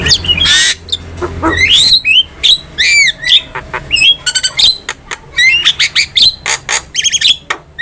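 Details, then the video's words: Javan myna in full, persistent song used as a master recording for training cage birds: harsh squawks, then rising whistled slurs and rapid clicking notes in quick, irregular bursts. "MASTERAN JALAK KEBO GACOR"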